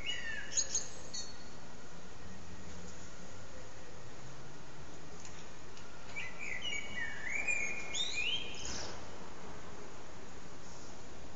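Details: Common blackbird perched on an antenna, singing with short breaks for nearly three hours; a fluted low warble opens, then high thin twittering phrases follow after a pause, over a steady background hiss.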